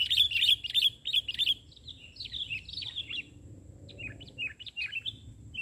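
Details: Lively sooty-headed bulbul song recorded while trapping birds in Indonesia. Quick, clear chirped notes come in a fast run, then softer, scattered warbled phrases follow after a pause.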